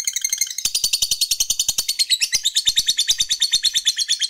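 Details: Fighter-type lovebird in ngekek mode, a call meant to rile opposing birds: dense, unbroken high chatter of rasping pulses repeated several times a second, steady and loud throughout.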